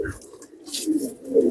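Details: Young Pakistani teddy pigeon cooing softly in low, throaty, rolling tones, a few short coos building toward the end, with faint higher rustling in between.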